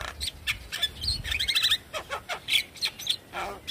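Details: Lure song of a Javan myna meant to trigger another myna into song: mixed chattering notes, a quick run of bright repeated whistled chips, then scratchy bursts and short squeaks.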